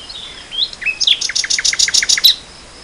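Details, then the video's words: Spring 2014 nightingale song: a couple of rising whistled notes, then a rapid, regular series of about ten loud, sharp repeated notes sung clearly over a quiet outdoor background. "Le chant du rossignol"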